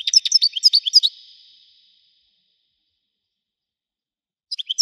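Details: European goldfinch of the Widani type, said to sound mighty. A second of rapid tinkling twitter fades into silence, and a few fresh chirps return at the very end.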